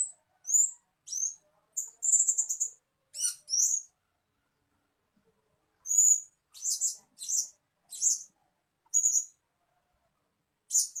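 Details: Blue-crowned hanging parrot, a lure sound for attracting birds: thin, very high-pitched sharp tsee notes, single or in quick pairs, scattered irregularly with short silent gaps and no other sounds.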